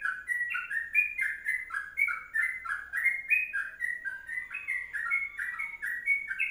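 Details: Bubbling, whistled warble of a sooty-headed bulbul in its long kongslet song, paired notes sliding up and down in a steady rollicking rhythm over a quiet background.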